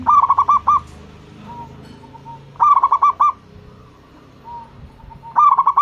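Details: Local Indonesian zebra dove calling energetically, a lure recording meant to set other doves calling: three rhythmic phrases of five or six quick mellow coos, the last held longer, about every 2.6 seconds, with softer drawn-out coos faintly between.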